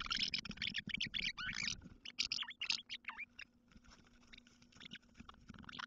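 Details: House martins, among the first arrivals on 16 April 2023, are a pair visiting an artificial nest in the morning: quick, dry, scratchy twitters in a dense rush for several seconds, thinning to softer calls over a faint low hum.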